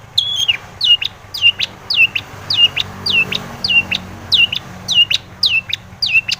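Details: Long-tailed shrike singing to provoke other shrikes: a regular series of loud down-slurred notes, each dropping then hooking up, repeated about every half second.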